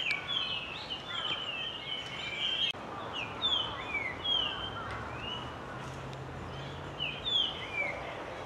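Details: Resident Japanese grosbeak flock singing from a thicket, callers unidentified. Clear, fluty slurred whistles overlap, rising and falling in quick phrases over a steady low rumble.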